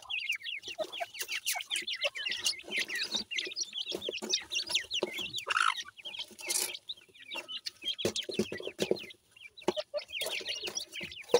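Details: Several francolin chicks chirping densely, overlapping short high peeps and slurred notes, almost without pause, mixed with clicks and small thumps.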